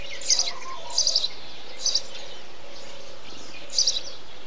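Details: In a bee-eater colony, a Eurasian tree sparrow utters bright, scratchy chirps, a quick triple burst then single notes, with faint lower twittering from other birds.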